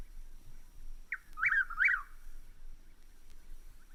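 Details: A Chuck-will's-widow recording played over speakers gives its rolling, whistled chuck-will's-WID-ow phrase, a quick lead note then two loud swooping notes, with the next phrase starting. Faint room hum underneath.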